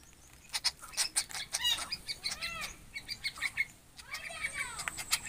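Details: Begging collared kingfisher chicks give fast, scratchy, broadband calls in quick bursts, mixed with arching squeaky notes that rise and fall, over a low background hiss.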